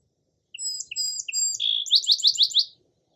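A song sparrow sings three bright, evenly spaced opening notes, then a brief buzz and a quick, rattling trill of about six notes; no other sounds intrude.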